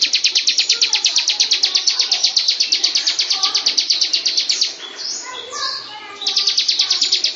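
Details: Bar-winged prinia song for training captive birds: rapid, evenly spaced high chirps that pause briefly after about four and a half seconds for softer, lower warbled notes, then resume at the same quick pace.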